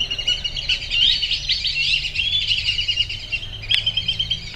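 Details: Whistling ducks perched in a tree at Circle B Bar Reserve, Lakeland, Florida, on a Sunday morning, January 27, 2013, making a dense, continuous chorus of high, overlapping whistled chatter, with one sharp click near the end.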